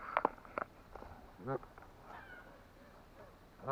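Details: An Atlantic Canada goose gives two short, nasal honking calls about two seconds apart, with a few sharp clicks and taps earlier and quiet background noise.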